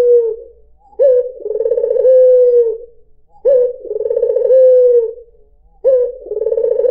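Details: White dove (puter putih) cooing as a lure sound: low, mellow phrases opening with a sharp note, a rolling throbbing middle and a long smooth drawn-out ending, repeated about every two and a half seconds against a quiet background.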